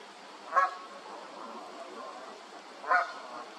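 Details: Two separate nasal honks from a Canada goose, about two seconds apart, with soft murmuring calls and hiss between them.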